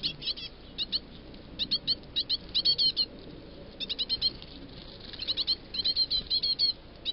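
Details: Great tit chicks begging to be fed: bursts of thin, high, rapid squeaky chirps in clusters of two to five, repeated about every half second with brief pauses, clear and close.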